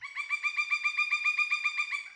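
Pileated Woodpecker giving a fast, ringing series of about seventeen loud, slightly uneven cuk notes, like wild laughter, with nothing else heard.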